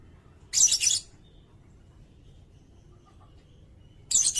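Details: Sirindet song kept as a tutor recording for training songbirds such as magpie-robins and shamas: two short, very high, dense buzzy-chirpy bursts about three and a half seconds apart, with quiet pauses between.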